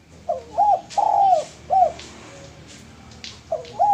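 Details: A male spotted dove used as a lure coos in a short note, a long steady coo and a falling final note, then begins the phrase again after a quiet gap with faint clicks.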